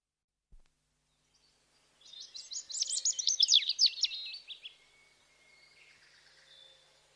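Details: Bird singing a rapid, high-pitched burst of chirps and twitters lasting about three seconds, notes sliding quickly up and down, then fading to faint distant chirping.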